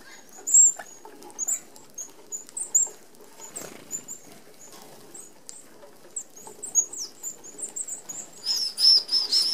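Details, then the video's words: Red-browed finches, an Australian native, feeding as a flock at an open aviary feeder whose 25 mm mesh keeps out sparrows and larger birds. Thin, very high piping notes come scattered throughout, with a louder cluster of quick squeaks near the end and faint rustling. "Red Browed Finches"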